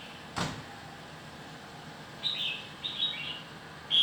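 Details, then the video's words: Red-whiskered bulbul, described as an old bird of the forest, gives two short, bright, slurred phrases about half a second apart, with a third just starting; a sharp knock comes first. "Red-Whiskered. Old and Stunted Bird of The Forest sing the 6 to 12 sounds long voice"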